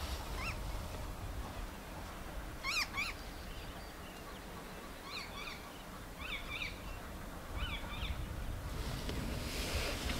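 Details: White-crowned Shrike in Kruger, South Africa, early June 2023, giving short bursts of harsh, chattering and squealing notes in scattered groups, over steady low wind rumble.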